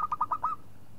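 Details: Local zebra dove singing to provoke a rival: a brief burst of five rapid cooing notes, the last one drawn out and rising slightly, then quiet background.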